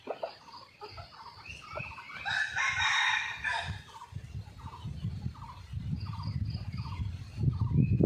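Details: Red junglefowl crowing in the morning after a storm, filmed by a hidden camera: one long harmonic crow rising and holding in the middle, over steady rapid pulsed chirps and low rumbling background noise.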